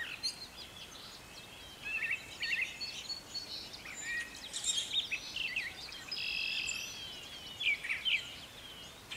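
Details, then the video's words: A Brown Thrasher sings in a garden in spring, when its return traditionally signals planting time. It gives a steady run of varied, rich phrases, some repeated twice in quick succession, over soft background hiss. "A Brown Thrasher Singing"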